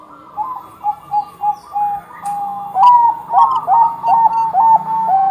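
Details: Bangkok zebra dove singing actively to prompt other doves to sing: a measured series of short coos, then a louder, faster stretch of bent, dipping notes repeated about twice a second.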